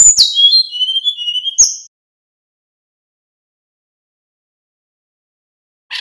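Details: Lively 'nyeklek' song of a male little pied flycatcher, used to coax other birds into answering: under two seconds of high, thin descending whistles with a sharp click, then silence and a brief final note.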